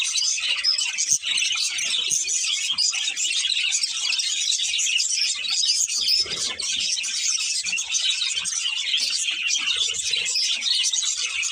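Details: Budgerigars, a breeding pair, chirping nonstop: bright, rapid tweets layered over a rasping warble, steady in loudness throughout.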